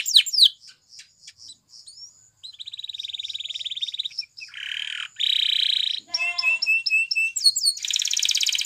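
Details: Spanish Timbrado canary song used to train other canaries to sing: a high piping note, a row of soft spaced clicks, then fast buzzy rolls and metallic trills switching abruptly between tours.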